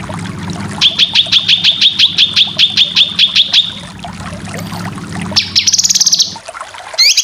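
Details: Cucak kinoy song for teaching competition birds: about fifteen crisp repeated whistled notes at an even pace, a quiet gap, then a short buzzy trill and clipped upslurs, with a low hum beneath.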